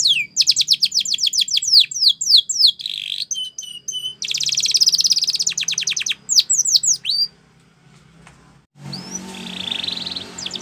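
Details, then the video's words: Training song of a Spanish Timbrado canary: quick trills and falling sweeps, a dense buzzy rattle, clipped whistles, then a brief pause before a softer buzzy phrase. "Spectacular SPANISH TIMBRADO Canary, This Canary Invites All Birds to Sing"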